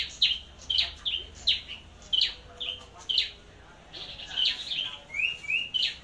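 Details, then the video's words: Flowerpecker selected for contest singing and for use as a decoy bird, Long Thành, Vietnam: rapid high chirps in quick pairs, then thin rising slurred whistles near the end, steady and loud. "Chim Sâu Đầu Đỏ Hót Đấu"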